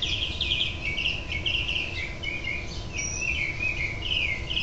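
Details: House finch nest recorded 6/12/07 while the final fledgling is encouraged to leave: continuous soft warbling twitter of rapid high chirps, steady throughout, with low background noise.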